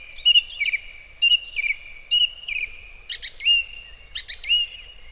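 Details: A Song Thrush in a Welsh forest in May, recorded around dusk or dawn, copies a Cuckoo: clear, high two-note phrases about once a second, with brief buzzy flourishes between them and faint background hiss.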